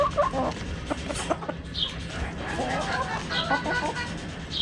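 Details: Backyard chickens, hens and roosters, clucking softly in a busy mix, with short chirps and a faint background murmur.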